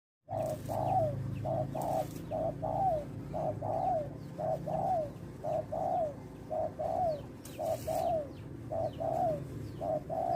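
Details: Male spotted dove used as a lure bird for trapping, giving soft low coos in quick two-note groups, repeated about once a second for ten seconds over a steady low hum, with faint brief higher sounds.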